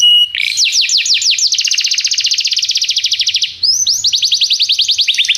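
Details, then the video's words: Canary singing as a tutor for a young canary in training: a short whistle, then loud descending notes speeding into a long rapid rolling trill, a brief break, and another fast trill. "canário cantando - professor para o treinamento do seu filho canário"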